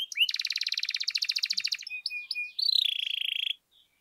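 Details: Canary lure song for rousing other canaries: a fast, loud rolling trill, then a few short chips, a level whistle and a final buzzy trill that stops abruptly.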